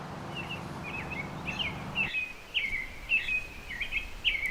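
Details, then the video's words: American robin, a thrush of suburban backyards, sings a run of short, clear whistled phrases in a middle-high pitch, about two per second, with a low background rumble early on. "another familiar song I often hear belongs to the American robin an icon of suburban Wildlife"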